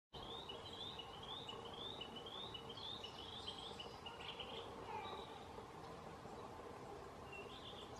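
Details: Narcissus flycatcher (Ficedula narcissina) giving calls at Minoh, Japan, on 13 June 2021: a quick run of bright, slurred chirps, then a pause before one last phrase.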